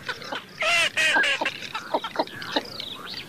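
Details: Eurasian teal giving two loud, harsh, nasal harmonic calls in quick succession, followed by a run of softer, shorter clipped notes that fade and return irregularly.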